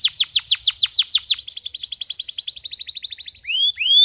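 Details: Fired-up male canary in full song, meant for teaching young birds and exciting females: loud downward-swept notes repeated about eight times, a rapid even trill, then two clear rising whistles.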